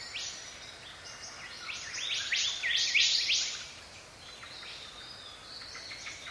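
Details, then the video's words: Paradise riflebird calling inside rainforest in the morning: loud harsh, rasping bursts cluster in the middle of the clip, with other high chirps and a steady forest hiss throughout. "Loud Rasping Calls From Paradise Riflebird."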